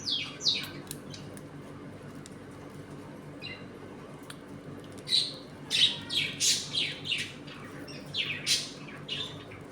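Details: Pet budgies in a home colony as they eat, play and squabble: a few scattered chirps, then a lively burst of warbling, sliding high notes and squeaks, tumbling one after another in the second half.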